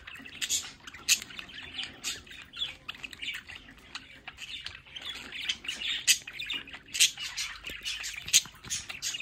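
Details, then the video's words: Domestic budgerigars at a window keep up lively chatter: sharp high squawks and scratchy chirps in irregular bursts, with no other clear sounds. "Sonidos para Periquitos Australianos en casa"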